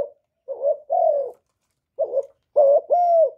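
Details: Decoy spotted dove from Cà Mau, Vietnam, cooing to lure wild doves: short bubbly notes followed by longer, drawn-out, slightly falling coos, in two groups separated by a pause, against a quiet background.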